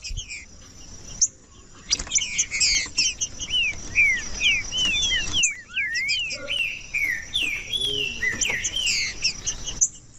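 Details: Green-winged saltator singing, used to warm up and stimulate cold saltators kept by breeders for song tournaments; rapid overlapping whistled, slurred notes swooping up and down, some chirps higher above, brief pauses between bursts, faint background hiss.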